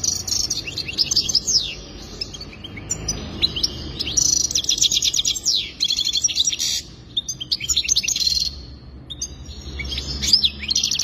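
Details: Goldfinch song for mating, given in bursts of fast liquid twitters, trills and rising whistled slurs, separated by brief pauses, with faint low background hum.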